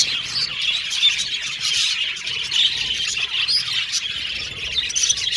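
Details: A flock of budgies in happy chatter, continuous high warbling with quick chip notes and thin whistles overlapping throughout.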